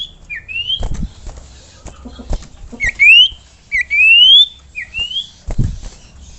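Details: Common iora call used to prompt other ioras to sing: a series of bright whistled notes, several rising smoothly in pitch, spaced irregularly across six seconds, with scattered clicks and knocks in between.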